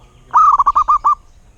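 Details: Local wild-type zebra dove giving a single rolling phrase of about seven short, clipped coo notes in under one second, the first slightly drawn out, clean quiet background.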